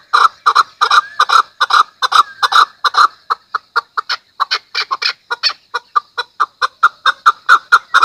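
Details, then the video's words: A steady, unbroken series of loud clucking notes from a Chukar, roughly two or three per second, keeping up a chattering rhythm for eight seconds. "chakor ki awaz | keklik sesi | voice of chakor | Садои наркабки маст"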